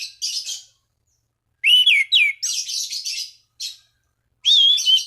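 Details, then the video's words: Song of an orange-banded thrush used to draw rival thrushes into singing: scratchy twittering bursts alternating with wavering whistled notes, the phrases returning after short silences. "Anis Cendana Gacor MEMANGGIL LAWAN Pancingan burung anis lain agar berkicau"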